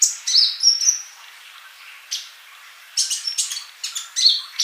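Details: Male olive-backed sunbird in active song, used to teach mute young birds; piercing high chirps and a brief whistled trill, a lull, then another scattered run of sharp squeaky notes.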